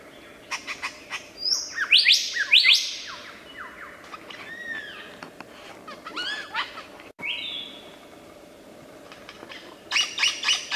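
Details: Mimicking Australian lyrebird, superb species, in the wild: a fast jumble of clicks, chips, rising and falling whistles and arched notes, pausing briefly before a renewed burst of sharp high chatter.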